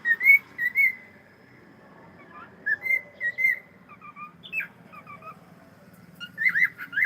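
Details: A pet cockatiel greeting with hello, whistling bright slurred notes in pairs and short runs, some rising and some falling, then a faster warbled burst near the end, indoors with little other noise.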